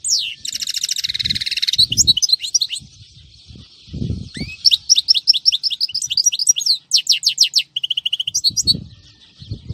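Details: Long goldfinch song phrase recorded on a Friday: a harsh buzzy trill opens, then tinkling twitters, rising whistles, clipped descending notes and a steady short trill, with occasional low bumps behind.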